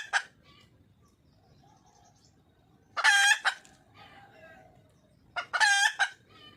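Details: Wild red junglefowl hen seeking a male: a brief sharp note, then two widely spaced, loud, raspy cackling bursts about two and a half seconds apart, with quieter nasal notes between and a faint background hiss.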